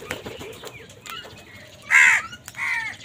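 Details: Angry crow amid wild birds fighting it for food: two loud, harsh, hoarse caws near the end, the second slightly longer, after quieter faint chirps and rustling.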